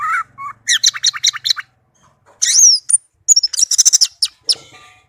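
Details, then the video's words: Tame captive orange-headed thrush in melodious song: a quick run of buzzy, repeated notes, then a loud whistled slur and a rapid high chattering series, with brief pauses between phrases. "Anis merah kicau merdu"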